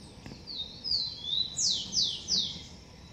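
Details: Blond-crested woodpecker at its nest in a garden: thin high falling notes lead into three loud, ringing, steeply descending calls spaced about 0.4 seconds apart.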